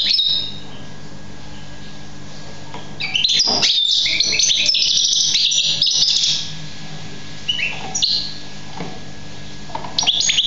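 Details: Young European goldfinch recorded in 2014, singing a burst of rapid, bright twittering and jingling notes lasting about three seconds, followed by a few scattered chirps after a pause, over a steady low hum.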